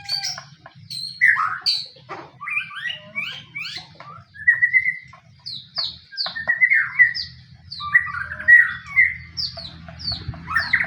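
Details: White-rumped shama in fighting song used to provoke others: mixed high sharp notes and lower rich whistled slurs in quick, irregular phrases, with brief pauses and faint low rumble.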